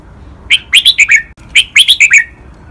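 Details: Doubled song of a captive red-whiskered bulbul in the Pa La-u style, used for training birds to copy: two matching phrases of five rich, slurred whistles each, one after the other with a short gap.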